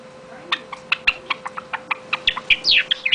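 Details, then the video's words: Java sparrow song: a run of dry, clicking notes about five a second, ending in higher slurred whistles and bubbling notes over a faint steady hum. "Java Sparrow song"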